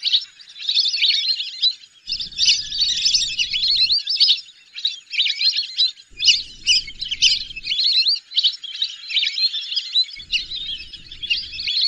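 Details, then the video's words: A long stretch of whistling duck calling: overlapping, sharp, high whistled notes in a busy, chattering chorus with only momentary breaks. "whistling dack call/sound /বালি হাসের ডাক/শরালী পাখির ডাক"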